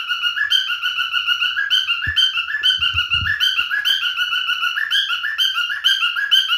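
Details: Singing male cockatiel gives continuous looping whistles, each note bending up then down, around two per second, with brief low bumps near the middle.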